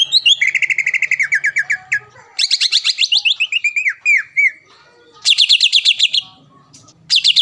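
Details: Training recording of a caged greater green leafbird, a contest winner in Palembang: fast trilled runs of repeated notes descending in pitch, separated by short silences, ending in high rapid bursts.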